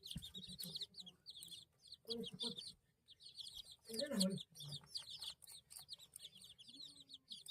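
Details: Baby chicks peeping in rapid, high chirps, each a short downward-curving note repeated many times a second. Lower, louder sounds break in around the second and fourth seconds.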